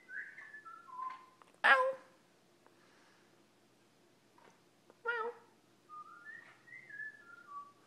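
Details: Indoor pet lilac-crowned amazon: a string of descending whistled notes, a sudden harsh meow-like squawk, another brief wail, then several smooth rising and falling whistles.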